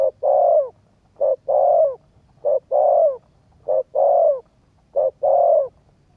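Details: Spotted dove coos used to stir up a decoy bird. A regular two-part phrase repeats about every 1.2 seconds: a short clipped coo, then a longer, fuller, slightly falling coo. There is little background sound.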